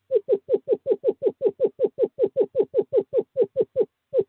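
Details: Screech owl male summoning a female to owl box 5 in courting season, 2/11/2023: a steady, fast series of about nineteen brief, slightly falling hoots, nearly five a second, ending after a short pause with one final note.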